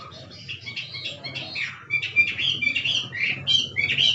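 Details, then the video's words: A wild Chinese hwamei, stimulated to sing, pours out loud, rich whistled phrases, rising and falling and varied from note to note, over a faint low hum. "Chim họa mi rừng kích trống hót cực đỉnh nghe đã tai"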